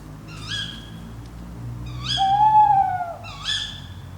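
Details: Tawny owl at night, captured overnight by a drop rig with a Zoom F3 and clip-on microphones near Fachwen, Padarn Park, Wales, by Llyn Padarn: a long steady hoot flanked by harsh, rising, harmonic calls.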